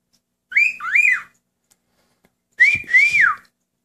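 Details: Pet male cockatiel whistling with its owner in a room, two pairs of arching whistled notes that rise and fall, separated by a silence of over a second.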